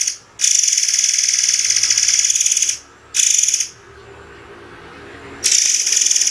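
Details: Murai air, a white-rumped shama, giving sharp song bursts with pauses: long, grating, buzzy blasts, high and even, with short silences between them.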